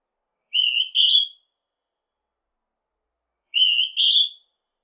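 A Northern hawk-cuckoo gives a shrill two-note whistle, the second note higher, repeated twice about three seconds apart against silence.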